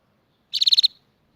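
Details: High-pitched canary trill, six quick pulsed notes delivered in a single burst lasting less than half a second, with a still, near-silent background around it.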